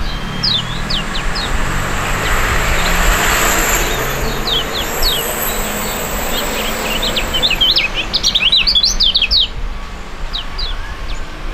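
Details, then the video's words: Pair of young Indonesian contest songbirds, fighting type, singing together: faint high chirps under a loud rushing hiss, then a denser spurt of sharp, rising and falling whistled notes near the end. "STORING DUET PRUGUT DUA BURUNG MUDA YANG SANGAT ISTIMEWA"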